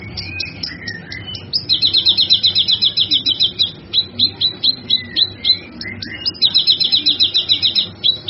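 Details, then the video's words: Cucak kinoi song used for tutoring songbirds: long rapid trills of high buzzy notes alternating with short chirps and slurred whistles, trills repeated in bursts. "Suara Burung cucak kinoi"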